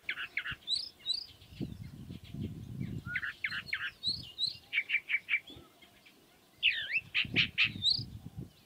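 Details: Song of a chalk-browed mockingbird from South America: a busy, variable medley of chirps, whistles and rapid repeated notes in phrases, with a brief silent break before a final burst of mixed notes; low background rumble.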